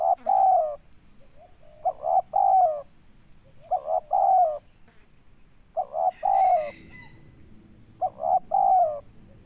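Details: Spotted dove of local Indonesian stock, recorded for luring, cooing steadily in five phrases about two seconds apart, each a short note and paired deep coos; faint chirps from another bird and a constant high whine.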